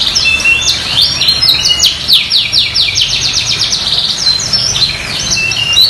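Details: Energetic canary singing to stir silent canaries into song: rapid high trills, rattling note series and swept chirps delivered without pause over faint low background noise.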